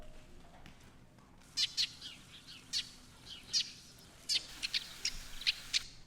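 Eurasian Tree Sparrow flight calls: about ten short, dry, high chirps in loose bursts over four seconds, against a faint background hiss.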